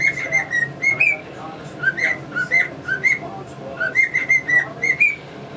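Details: Male pet cockatiel strutting while whistling tunes such as the Mexican Hat Dance; quick runs of bright whistled notes with little upward flicks, budgie chirps sprinkled between phrases.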